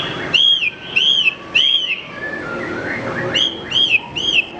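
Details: Horsfield's bush lark singing for training other cage birds: a steady series of bright, slurred whistles, each rising then dropping, about three in a row, a short pause with faint chatter, then three more.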